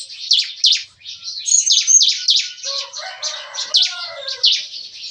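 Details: Morning song of several caged bar-winged prinias in an aviary, likened to shooting: evenly paced sharp high chips, roughly three per second, with a brief lower warbling call mixed in midway.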